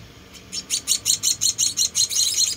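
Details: Four rescued munia chicks being hand-fed give high, thin chirps that start after a brief quiet and then come in a steady, rapid run of about four per second.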